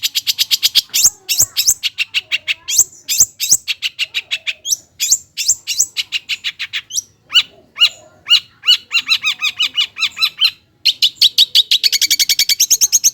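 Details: Extended lure song from a long-tailed shrike, to coax lazy birds into song: a rapid, unbroken stream of sharp high chips and varied rattling phrases, shifting in texture, ending in dense buzzy chatter.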